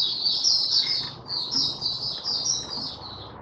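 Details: Oriental white-eye, Mata Puteh Raja type, singing five days after monthly deworming in January 2022: a continuous, blurred, high warbling stream with slight swells every half second over a low steady hiss.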